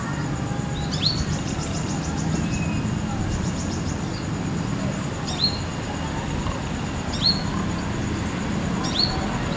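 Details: Female Brown-throated Sunbird singing wild from a guava tree branch in the evening, calling her companion: sharp, high, downslurred notes and short rapid ticking trills, repeated every couple of seconds above constant low background noise.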